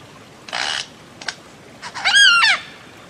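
A bird-of-paradise gives a harsh, rasping burst and a short sharp note, then a loud nasal wail that rises, holds and drops away.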